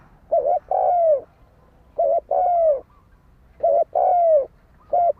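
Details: Spotted dove giving fighting coos meant to provoke a decoy bird: loud, rhythmic pairs of soft notes, a clipped first coo and a longer sliding second, repeated roughly every one and a half seconds against quiet background.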